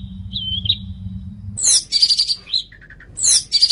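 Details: Long-tailed shrike singing for a bird training recording: a soft wavering whistle, then abruptly harsh, loud, scratchy bursts interspersed with short chirps and a few quiet low notes.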